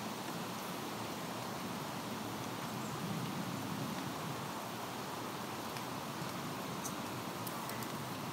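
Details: Continuous broadband outdoor hiss with a few brief faint clicks near the end, no calls audible.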